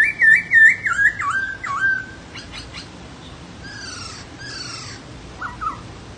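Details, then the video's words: Laughingthrush song: warbling, looping whistled phrases that drop in pitch, followed by a few scratchy downslurred notes and two short faint chirps near the end. "HÓT NHƯ KHƯỚU"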